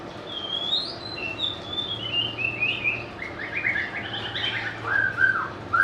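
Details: Melodious White-rumped shama song: high thin notes sliding downward, then a tumbling series of warbled, whistled phrases ending in louder full notes, over a faint low hum.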